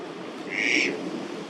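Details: Eastern spot-billed duck in a Tokyo park in May, during the incubation and hatching season, calling often (perhaps a warning to the female or a threat to intruders), gives a single harsh, raspy squawk under half a second over a low hum.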